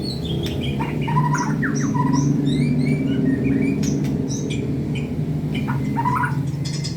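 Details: White-rumped shama, a contest-ready bird in full song, giving varied whistled phrases and quick slurred notes over a steady loud low rumble of background noise.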